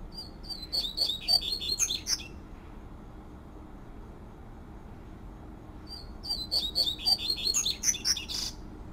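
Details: Two bursts of fluted 'tui tui' song from a wild double-collared seedeater, each a hurried string of high, pure, slurring whistles with a scratchy finish, about four seconds of near silence between them.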